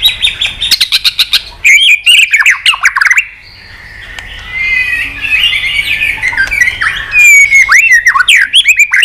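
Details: Training song of a white-rumped shama, sung in many voices to stimulate tail-flicking shamas: a string of sharp clicks opens, then a long flowing warble of varied whistled notes, ending with loud, rapid mixed phrases.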